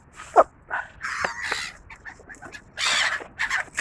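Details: Gulls giving harsh, raspy cries: a sharp short squawk at the start, then a run of rough, broken calls and a loud, drawn-out scratchy cry near the end, with quieter chatter between.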